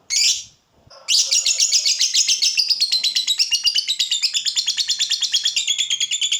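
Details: Lovebird, kept as a pet bird in Indonesia, giving the long ngekek song used as tutor recording for young birds: one sharp chirp, a pause, then a fast, steady, buzzy trill of high pulses running unbroken to the end.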